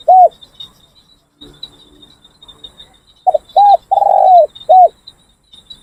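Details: Spotted Dove, a training decoy bird cooing during a training session: one lone coo, then a four-note phrase of two short hoots, a long drawn falling coo and a final short hoot, over steady high insect buzzing.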